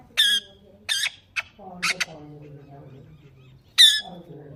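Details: Pet green parrot, shown talking and chirping, gives loud harsh squawks in short bursts between quieter low, voice-like murmuring sounds.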